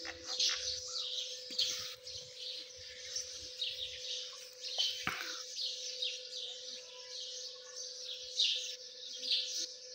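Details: Partridge chicks, called Dakani teetar, give a dense, continuous chorus of high, thin overlapping peeps and chirps, with a steady low electrical hum underneath throughout.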